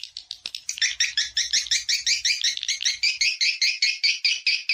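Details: Swiftlet lure call meant to attract swiftlets to mate and nest in a swiftlet house; dense chirping twitter of rapid repeated notes, about two or three per second, steady and bright, with a sharp click near the start and no other sounds.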